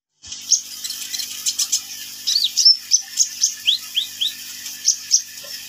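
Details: Sunbird, known locally as kolibri ninja, singing vigorously: rapid series of thin, high chirps and short upslurred whistles, about four notes a second, with buzzy bursts in between and a quiet background.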